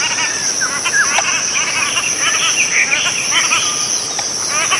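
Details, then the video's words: Cotton pygmy-goose calling: rapid, clipped chattering notes, some rising and falling, tumble over one another, with a steady high-pitched insect drone throughout. "棉鴨/Cotton Pygmy-goose(Nettapus coromandelianus) Call"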